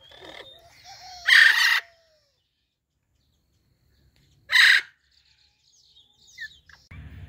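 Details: Talking Indian ringneck parrots greeting each other indoors, two loud harsh screeches about three seconds apart with softer whistles and chatter between and a low thump at the end.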